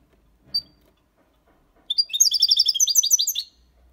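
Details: European goldfinch singing clean Copia Málaga song for young birds to learn: a single sharp note, then a fast, dense, rippling phrase of high liquid twitters lasting about a second and a half.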